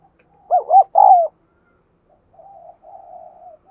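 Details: Lure call of a spotted dove meant to excite males: one loud phrase of two quick bouncing hoots and a longer falling coo, then quiet drawn-out murmured coos.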